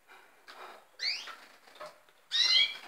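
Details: Red siskins; a nasal call with rising then falling harmonics, followed by a longer buzzy, twangy call, with soft chatter in between.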